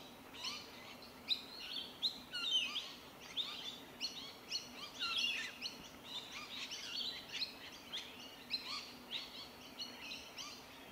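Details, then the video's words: In suburban Melbourne, Victoria, in January 2021, Rainbow Lorikeets feed on tree violet berries, giving a steady stream of shrill, scratchy chattering calls from several birds at once, with low background noise. "Rainbow Lorikeets feeding on tree violet berries"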